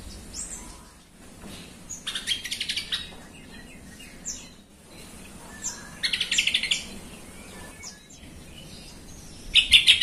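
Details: Lure recording of a yellow-vented bulbul for provoking rival bulbuls to sing: several separate bursts of rapid bubbling notes, each lasting under a second, the loudest closing the clip, with thin chirps between.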